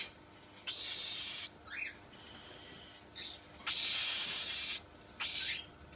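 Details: Cockatiel uttering long, loud, rasping high screeches lasting up to a second, separated by pauses, with a brief whistled note in between and a low background hum.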